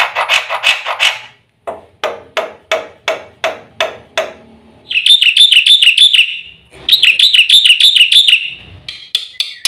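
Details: Black-winged myna full fill-in song for training caged birds. It opens with harsh rasping bursts and a series of evenly spaced scratchy notes, then two fast, buzzy, high trills.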